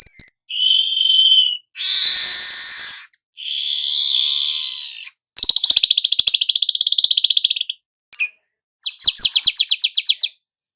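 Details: Weaver, a young bird singing actively as a lure for all kinds of birds: long buzzy wheezes followed by fast rattling trills of repeated ticking notes.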